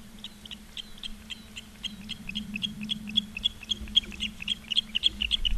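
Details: Ospreys at the nest in Charlo, Montana, live camera, 15 August 2023 at 16:06: soft whistled chirps that grow louder and quicker, around three to four a second, over a humming, slightly noisy background.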